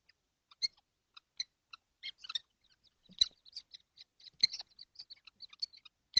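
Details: Seven kestrels crowded together in a nesting box on a hot day, 12 June 2025, giving a rapid series of short, high, sharp squeaky calls with varied spacing, several overlapping birds calling at once.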